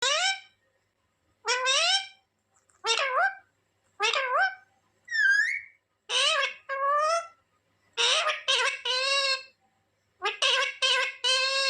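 A parrot talks in short, nasal, speech-like phrases of about a second each, with pauses between, and one higher squeaky whistle partway through.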